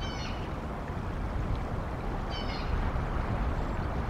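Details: Bald eagle pair perched at nest N1 in Decorah on 18 April 2022, around 10:15 am, after adding fluff to the nest; two brief high, harmonic chittering calls about two seconds apart over a steady low rumble.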